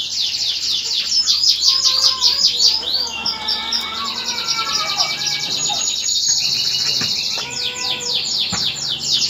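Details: Male canary singing to prepare a female for mating and encourage her to build a nest; a varied high song of rapid trills and rolls, with softer whistled notes beneath and a steady background hiss.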